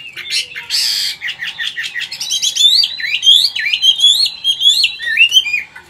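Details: Caged Chinese hwamei, wild-caught adult, Vietnam, forest-style singing: a harsh burst and quick rising notes give way to a long flowing sequence of twisting, repeated whistles.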